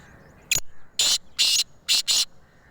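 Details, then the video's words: Black francolin in Sindh, Pakistan, giving a harsh, rasping call: a short click followed by four loud, grating bursts in quick succession, each about a fifth of a second long. Quiet background between notes. "Kala Teeter"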